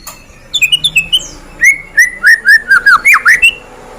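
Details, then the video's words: White-rumped shama of the Medan type, a kept bird used as a lure to provoke other birds to sing: clear whistled phrases, then a fast run of ringing slurred notes, some rising and some falling, about ten in quick succession. "Pancingan Murai Batu Medan Suara Asli"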